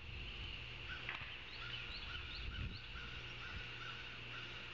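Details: Ospreys at a nest in Savannah, filmed by a live nest camera on 9 August 2023 at 16:05. Rows of short, high chirps repeat quickly through the clip, with a steady low hum and broad background hiss.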